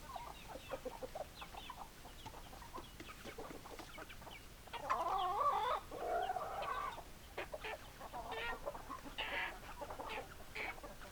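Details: Chickens cluck steadily in short, uneven notes. Midway comes a louder, longer burst of raspy calling lasting about two seconds, then clucking resumes over low background hiss.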